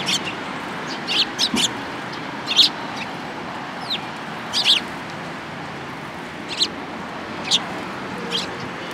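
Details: Sparrows coming to a cherry tree at a Tenmangu shrine, 24 March 2023: clusters of sharp, high chirps early on, then single chips every second or so over faint hiss.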